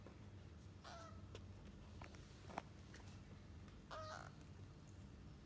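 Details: Parrot chicks in their fourth week, described as healthy: two harsh, raspy calls with layered tones, roughly three seconds apart, over a steady low background hum with a few faint clicks between them.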